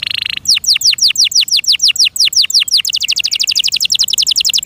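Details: Loud canary song from a cared-for bird: one buzzy note, a run of sharply falling whistles, then a quicker rolling trill of repeated notes.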